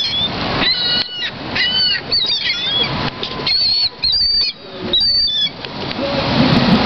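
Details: Flock of gulls at Lake Eola in downtown Orlando, crowding in; repeated harsh nasal squeals and yelping calls from many birds, with wing flaps and bursts of handling noise.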